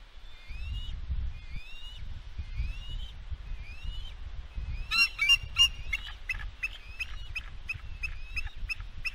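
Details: Adult female bald eagle at the West End nest on 4 July 2022, after she and her mate chased off an intruding fledgling that attacked her eaglet. She gives thin upslurred whistled calls about every 0.8 seconds, then rapid staccato chatter under a low wind rumble.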